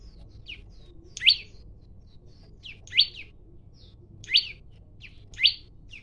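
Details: A male olive-backed tailorbird in vigorous song, challenging a rival to fight, gives loud, sharp, rising whistled notes about every second and a half, with softer chips between, over a low background rumble.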